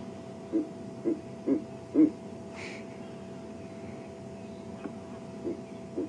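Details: A pair of Verreaux's eagle owls duetting live at sunrise as part of the dawn chorus, a full body call: deep, grunting low hoots about every half second, then softer spaced hoots, with a brief higher rushing noise between.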